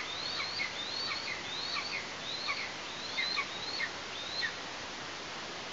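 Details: Eastern imperial eagle chick at the Tatarstan nest on 16 August 2023, parents bringing prey, gives seven slurred whistles, each rising then stepping down, about every 0.7 seconds over steady hiss.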